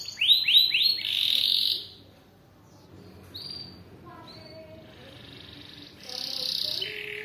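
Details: Atlantic canary song recorded as long-duration training material for other birds: a few rapid high buzzy trills at the start, then quiet with faint notes, closing with another high buzzy trill.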